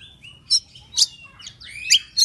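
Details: Oriental magpie-robin, agitated and excited, tail spread: loud sharp chirps spaced about half a second apart, linked by thin sliding whistles and a softer mid-pitched warble.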